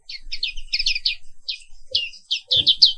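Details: Black-capped white-eye (Papua pleci 'wiklus'), an Indonesian endemic with a black forehead, in a morning therapy song: quick bursts of high, buzzy chirps in clustered phrases, with faint low rumbles beneath.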